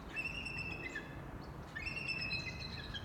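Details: Bald eagles at Big Bear Lake: a trumpeting adult female joins a 2018-hatched eagle and one about 4 years old in a chorus of thin, high, drawn-out piping whistles in two bursts with a brief pause, over a steady low outdoor rumble.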